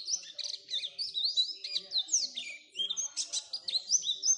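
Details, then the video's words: Oriental white-eye singing as a training lure for other white-eyes: high, sweet warbling of looping up-and-down whistles mixed with short buzzy chirps, delivered in a quick, varied stream. "Pancingan supaya pleci cepat gacor"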